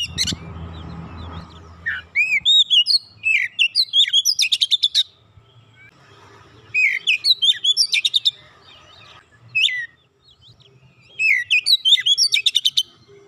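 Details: Oriental magpie-robin song used as a prompt to get a stuck magpie-robin singing. Three bursts of varied whistles each end in rapid trills of sharp repeated notes, separated by quiet pauses; a low rumble opens the recording.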